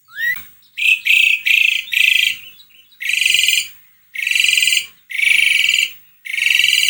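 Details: Asian pied starling (jalak suren), used to coax a quiet bird into singing: a rising whistle, then a series of loud, grating, buzzy bursts, each about half a second to a second long, spaced by short pauses.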